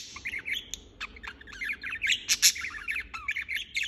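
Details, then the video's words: Nonstop budgerigar chirping, quick scratchy twittering notes tumbling over one another with a few louder, harsher squeaks near the middle. "Chirping non-stop"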